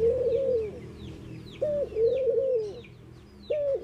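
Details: Mourning doves cooing: low, hollow, steady tones, each coo held about half a second, with a short sharp rising note starting each new series, while faint thin down-slurred chirps from small birds sound high above.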